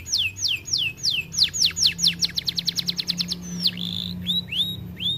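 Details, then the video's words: Canary, said to be too fat and lazy to sing, delivers loud descending whistles that speed into a rapid trill, then a buzzy note and several rising chirps; a low steady hum sits underneath. "Kenari malas bunyi akibat TERLALU GEMUK"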